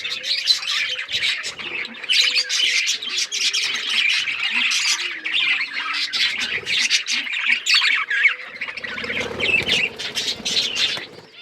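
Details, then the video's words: Australian parrots in a lively chorus, many overlapping harsh chirps and squawks pouring out nonstop, with a low rumbling hum near the end. "Australian parrots chirping sound"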